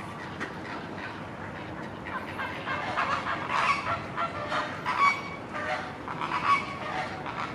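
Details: A mallard at Schönbrunn Zoo, Vienna, gives a loose series of harsh, nasal quacks, several every few seconds, over a steady hiss of background noise.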